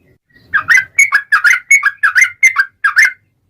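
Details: Yellow-vented bulbul in long 'ropel' lure song: after a brief quiet start, a string of paired, liquid, warbling whistles comes in a steady chattering run, ending abruptly, with a faint low rumble underneath.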